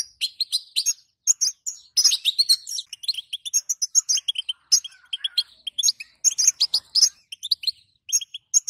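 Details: Female European goldfinch giving its 'batbata' call, played to stir males into song: dense, rapid twittering of short, bright chirps and buzzy notes, nearly continuous with brief gaps, with no other sounds.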